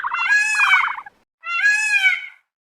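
A peacock gives two loud, nasal, wailing calls, each about a second long. The first wavers and pulses, and the second is smoother and slightly falling.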